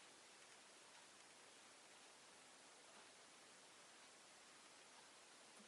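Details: Only a steady, even broadband hiss like soft rain or static is heard throughout, with no animal calls.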